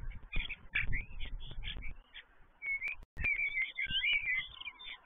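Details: Five common starlings at a stork nest that is still empty, giving a busy medley of short whistles, twangy slurred notes and rattly chatter, pausing briefly midway before bursting again with rising and falling whistles; low thumps underneath.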